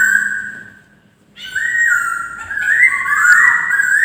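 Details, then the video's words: White-crested laughingthrush singing melodiously: a clear whistled note, a brief pause, then a long, loud, smooth whistled phrase that rises and swells, with faint higher overtones. "DOA BURUNG POKSAY DENGAN BERKICAU MERDU"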